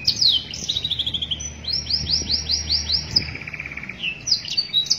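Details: Canary master song used in training: opening sharp chirps and a short trill, a run of about seven arched whistled notes, a low rolled trill, then sweeping chips.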